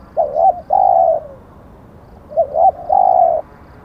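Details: Spotted dove used to lure wild birds, giving two matching phrases: a quick rising double note followed by one long, level, low coo that trails off, repeated after a pause.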